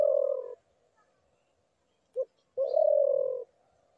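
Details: A spotted dove gives a long, mellow coo, then a pause, a quick short note and another drawn-out, steady coo. The surroundings are nearly silent.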